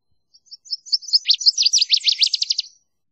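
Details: Song of a Northern waterthrush: thin, quiet opening notes that build into a fast, ringing series of sharp, down-slurred chips, about three a second at first and then faster, before fading out.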